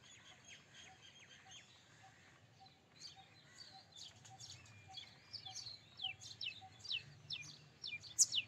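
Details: Indian robin singing in the Indian subcontinent: a run of short, sharp high chirps and downslurred notes that grow louder and quicker toward the end, finishing with a bright, loud note, over faint background chirping and a low hum.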